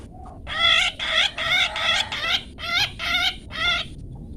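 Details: Long-tailed shrike in the 'toet toet' style used to train pet birds: eight harsh, buzzy, rasping notes in quick succession, rich in overtones and about half a second apart, over a faint low background hiss.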